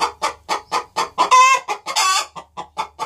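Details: Two hens cackling together on the nest box before any egg is laid: quick rhythmic clucks, a stretched nasal squawk and a rising drawn-out note, then more regular clucking.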